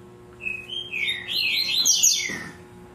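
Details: Double-collared seedeater kept by a breeder, singing tui-tui zel-zel song on a December morning: soft whistled opening notes swelling into a tangled, rising and falling warble of sweet slurs, faint hum underneath.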